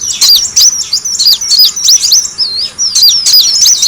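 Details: Lure sound of the kolibri wulung sunbird, played to draw in birds: a rapid, busy run of high twisting chirps, several every second, one after another without pause.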